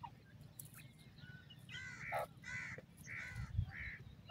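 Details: Partridges giving four rough, raspy, harmonic calls about half a second apart in the second half, with low rumbling background noise throughout.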